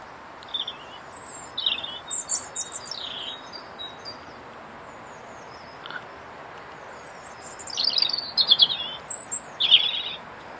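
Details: A robin that sings daily in a tree outside an office on a cold winter day sings short, high, thin warbling phrases with tinkling trills and pauses, over a soft background hiss.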